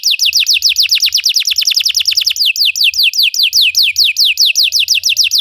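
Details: Belgian canary singing as training for other canaries: loud, steady series of sharply falling whistled notes, about four to five per second, changing slightly in tempo midway.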